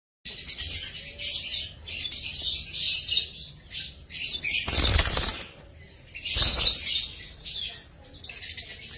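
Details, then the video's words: Pet lovebirds chatter with dense, shrill, high-pitched chirps in bursts, joined by a couple of loud wing flutters. "Lovebird pakhi|লাভবার্ডস পাখি"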